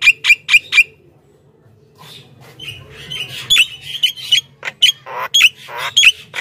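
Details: Javan myna song used to call wild mynas: a few sharp whistled chips, a pause, then chattering harsh notes interleaved with short bent whistles.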